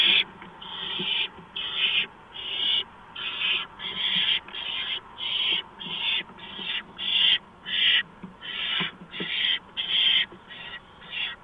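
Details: During a mouse delivery at a barn owl nest at 4:26 AM, 6 March 2015: roughly eighteen strident, breathy hisses in a steady, fast sequence, each about half a second long.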